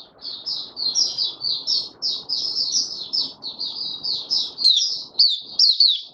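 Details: Caged oriental white-eye singing openly on the fifth day after its monthly deworming, 20 January 2022: a continuous stream of high, thin, rapidly warbled twittering notes with quick up-and-down slurs, briefly broken near the end, over a faint low room rumble.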